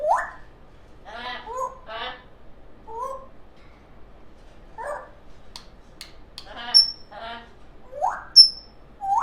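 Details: Baby African grey parrot, a talking female, making playful noises: rising squeals, buzzy harmonic bursts, a short falling note and several piercing high whistles toward the end.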